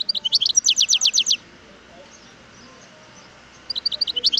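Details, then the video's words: Wild European goldfinch singing: two bursts of bright, high twittering notes, a fast run of rising chirps repeated about eight times, then quiet before a second burst begins. "اسمع صوت الحسون البري"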